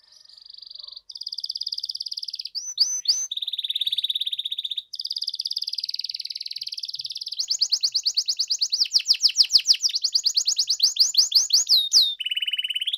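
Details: Canary singing nonstop as a lure for reluctant singers: long steady whistled and buzzy trills at different pitches, a few quick slurs, then fast rolling chirp series, ending on a lower buzzy trill.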